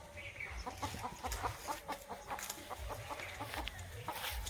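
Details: Flock of desi chickens going into their coop, with a steady stream of short overlapping clucks and a few higher squawks, plus low background rumble and handling sounds.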